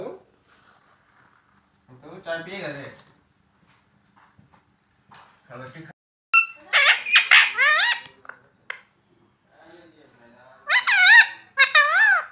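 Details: Pet parrot talking indoors: short, high, squeaky word-like phrases with bending harmonic tones, in bursts around the middle and end, separated by quiet gaps, with a few lower voice-like sounds earlier.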